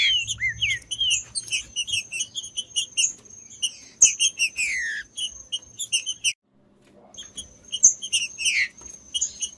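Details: Green-winged saltator song for warming up a cold bird before tournaments: slurred whistled phrases rising and falling, over dense high chirping and a steady thin high tone, with a brief pause near the end.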